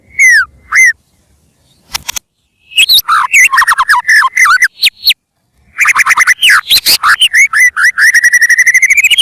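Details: White-rumped shama song used as a lure for birds: two falling whistles, broad clicks, then a busy mix of rapid varied notes and a long string of repeated rising whistles at a fast, steady pace.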